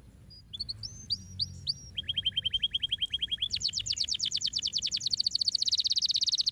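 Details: Canary singing, recorded to stimulate other canaries to sing: a few short rising whistled notes, then a rapid even trill of repeated notes, switching to a higher, faster rattling trill that grows louder toward the end.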